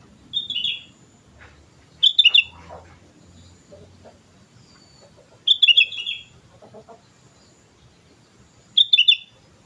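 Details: Sooty-headed bulbul in full voice, repeating short jaunty phrases of rich whistled notes four times, every two to three seconds, with faint chirps and low background noise between phrases.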